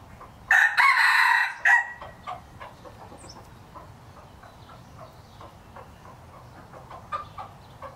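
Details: Three-year-old breeding rooster, a red junglefowl hybrid about 75 percent pure, gives a loud harsh crow of rough bursts, then a string of soft short clucks over a low background rumble.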